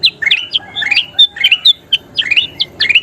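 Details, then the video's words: Short burst of kutilang emas bulbul song used to train cage birds: crisp separate chirps, several rising and a few held briefly as pure whistles, spaced unevenly. "SUARA KUTILANG EMAS GACOR PALING DICARI"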